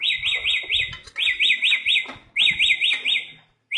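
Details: Bare-throated whistler in the wild giving bursts of four or five quick undulating whistled notes, each group followed by a short pause, over light low thumping noise.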